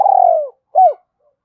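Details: Spotted dove call meant to rouse a decoy dove: the tail of a long, gently descending trilled coo, then a single short arched note after a gap, clear and near with no other sounds.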